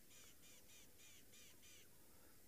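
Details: Rattling cisticola alarm calling at a sunset safari on 7 March 2023, as a young male leopard scent-marks nearby and first raindrops fall: a run of harsh, rasping churrs about four times a second.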